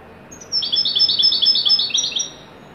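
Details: European goldfinch delivering a fast, chattering phrase of tinkling notes and buzzy twitters, closing with a few lower trilled notes, over a steady quiet background.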